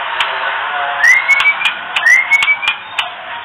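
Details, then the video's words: Female oriental magpie-robin kretekan, played to bring males into breeding condition: two clear rising whistles about a second apart, each levelling off, over a steady background hiss with scattered sharp clicks. "Kretekan murai betina"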